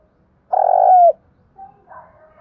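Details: Spotted dove cooing as a training lure for captured doves: one loud, sustained, rich coo that dips at its close, followed by a few brief, soft, quieter coo notes.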